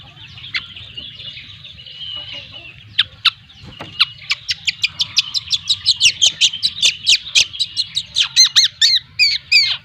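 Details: Two-month-old long-tailed shrike, a spotted young cendet trotol from Lampung, singing: a soft warbled start, then from about three seconds a fast run of sharp, high chip notes that speeds up and grows louder to the end.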